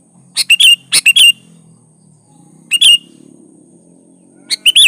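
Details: Sooty-headed bulbul, song used as a lure to get other bulbuls singing: rapid clusters of sharp chirps and warbled fluty notes, a pause, then another burst, over a soft low rumbling background.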